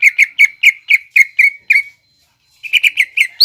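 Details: Greater green leafbird in full song, 'nembak ngekek' style, used as lure song for young leafbirds to imitate. Clipped, slurred whistles repeat about four a second, then a brief pause, then another fast run of notes.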